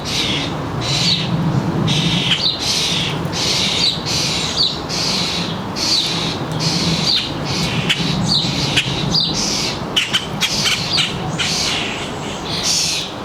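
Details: Feeder birds in a northern New Jersey suburban backyard on a July afternoon around 4 p.m.: steady run of sharp chirps and squawky notes, repeated roughly every half second to second, over constant low rumble.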